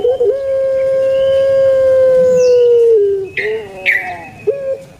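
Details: Caged puter pelung turtle dove from Java, Indonesia, holding a long even coo near three seconds that slips lower, then short coos mixed with a few sharp higher chirps in the background.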